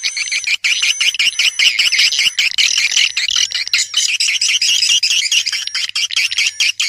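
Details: Swiftlet luring call: thick, continuous buzzy twitter of high chirps, overlaid by thin steady whistling tones throughout.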